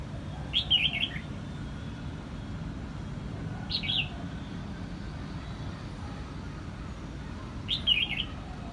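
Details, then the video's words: Song of a red-whiskered bulbul in Quang Nam, Vietnam: three brief whistled, chattering phrases spaced about three seconds apart, against steady low rumbling noise. "Vietnam bird is singing!越南广南戴帽鸟之歌"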